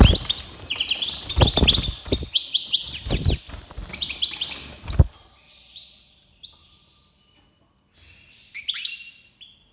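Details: Iranian Major goldfinch, breeding season 2022: fast twittering song of chirps and tinkling notes over loud knocking and rustling, then clearer sparse chirps and a brief trill.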